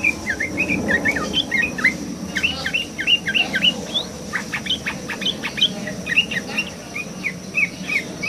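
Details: Yellow-vented bulbul singing actively above water: short chirpy, bubbling notes given in quick bursts through the clip, with a steady low rushing background.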